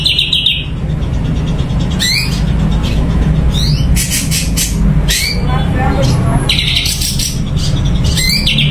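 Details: Blue-winged leafbird (cucak cungko) kept in a cage, singing busily in brief rising whistles and buzzy phrases, with a constant low rumble and murmuring behind.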